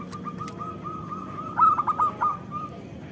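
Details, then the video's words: Zebra dove song played to stimulate reluctant caged doves: a soft steady tone, then a quick cluster of four or five bright clipped notes and a trailing held note. "Pancingan Perkutut Lokal Gacor"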